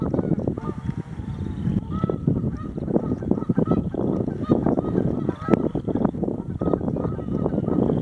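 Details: Canada geese annoyed by passing bird watchers, calling in a series of loud nasal honks, some drawn out, over constant low background noise.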